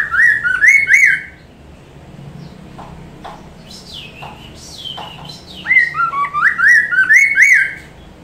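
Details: Caged Chinese hwamei song used as a master recording to train other songbirds: two bursts of loud, clear whistled notes sliding up and down in quick succession, separated by a few seconds of faint higher chirps and clicks.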